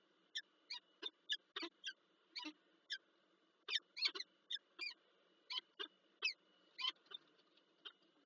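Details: Softer, more distant bursts of harsh chattering from a peregrine falcon pair meeting in the morning at PGE Lublin, Poland, in January 2024, spaced irregularly over a steady low hum.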